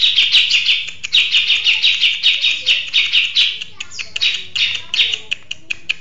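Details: Grey-cheeked bulbul, a caged bird singing steadily with a long, sustained performance: rapid chattering notes repeated about five per second, loud and bright, with brief pauses and a faint low hum underneath.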